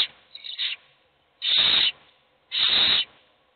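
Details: Hungry owl nestlings begging for food, only one getting fed; a softer, wavering rasp opens, followed by two loud, long hissing screeches about a second apart.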